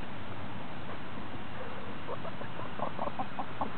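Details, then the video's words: Hens purring while enjoying a dustbath: a low, rough murmur with soft, short clucks repeated in the last second and a half. "Purring dustbathing chickens"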